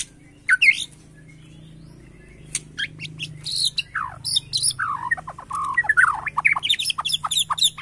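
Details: White-rumped shama of the Borneo form reacting to a lure recording: sparse sharp chips at first over a low steady hum, building into quick varied whistles and slurred notes.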